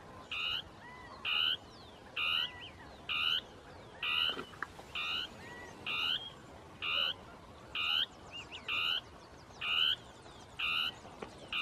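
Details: Northern tapaculo giving its territorial song from shrubs, with two birds interacting. Short buzzy, croaking notes with a harsh overtone, about one per second in a steady series, plus faint high bird calls behind.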